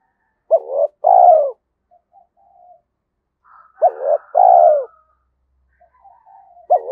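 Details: Spotted dove in 'giọng thổ' voice, a style described as suited to the forest when trapping; a clipped double note leads into a long downslurred coo, repeated, with faint higher calls in the gaps.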